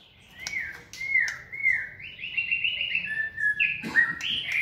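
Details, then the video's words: Energetic song from a white-rumped shama kept in a flight cage for fitness training: a long sequence of whistled, slurred notes, some bending down and others stepping up, with a few clicks and a rough burst near the end. "Giọng chòe lửa hót rực rỡ đầy năng lượng"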